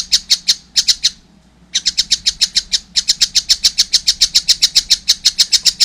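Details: Young collared kingfisher starts with a few sharp notes, pauses half a second, then launches into a fast regular chatter of rasping high kek calls.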